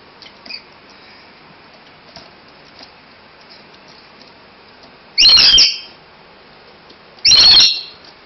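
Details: Wild rainbow lorikeet in Australia attacking a kitten: two loud, harsh, grating squawks, each about half a second long and two seconds apart, with faint soft chirps earlier and a quiet room-like background.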